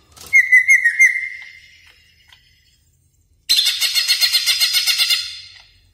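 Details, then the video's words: Greater green leafbird, a caged bird in full song, recorded as lure and master material for training caged birds: a high rattling trill, then a loud, dense buzzy burst of rapid pulsed notes after a silent pause. "Pancingan Dan Masteran Cucak Ijo Gacor Bongkar Isian Mewah Yakin Nyaut | Greater Green Leafbird"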